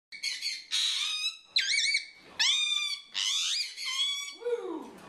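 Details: A captive rose-ringed parakeet (African ringneck) at a bird rescue gives an alarm: six harsh, rasping screeches, roughly one a second, some wavering and the last sliding down in pitch.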